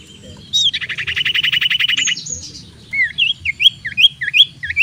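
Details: Decoy song of a common iora meant to provoke an opponent to fight: a long rapid buzzy rattle of repeated pulses, then a run of quick upswept looping whistles.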